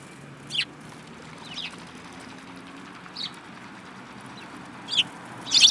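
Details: Several sparrows, one of them yellow-beaked, on 25 February 2018, give short high chirps spaced irregularly about once a second, with a louder cluster of chirps near the end over a low, steady background hum.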